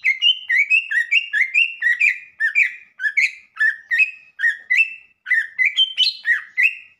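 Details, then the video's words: Cucak ijo (greater green leafbird) in sustained song: a rapid, continuous run of bright whistled, chirping notes, mostly rising then flattening, about two to three per second, with one short pause midway and a higher-pitched flourish near the end. "Cucak Ijo Intinya Bunyi Dulu"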